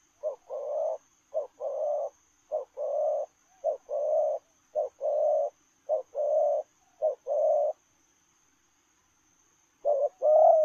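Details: Spotted dove in lèo rồng style, cooing as it runs: seven quick low double-note phrases, a short hoot then a longer burry coo, in a steady run, a pause, then another phrase.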